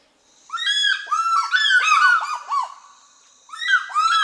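African fish eagles give loud, ringing yelps: a rapid burst of harsh, gull-like notes for about two seconds, a pause, then another yelping series begins.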